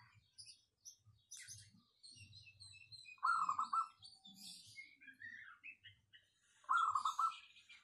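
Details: Local zebra dove, with a clear, full voice meant as a lure bird, giving two rapid rolling coo phrases several seconds apart among high chirps from other small birds.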